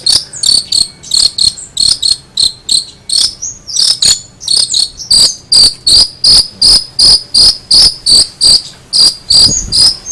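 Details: Long-tailed shrike giving loud, harsh, rasping notes repeated about three times a second in a steady, insistent series, each note a short broadband burst.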